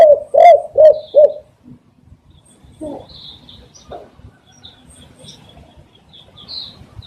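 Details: Spotted dove coos, a recording meant to lure doves for catching: four loud, low, hoarse coo notes in quick succession at the start, then near silence with faint distant chirps.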